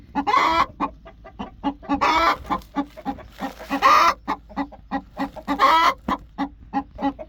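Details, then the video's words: Broody backyard hen, angry, uttering rapid low clucks interspersed with several loud raspy squawks and growling bursts, the clucks repeating steadily throughout. "Sound of an angry broody chicken"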